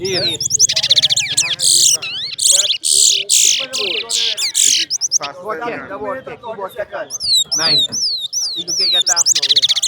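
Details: Towa towa birds in a singing competition, giving rapid trills, buzzy high notes and repeated looping whistles that overlap almost without pause, with a man talking over them and faint background noise.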